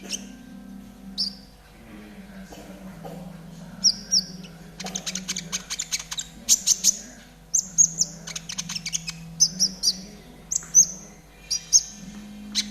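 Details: Extended master song of a gacor trotol konin for training caged birds: isolated high whistles, then long stretches of rapid buzzy chatter and sharp chirps, a steady low hum beneath.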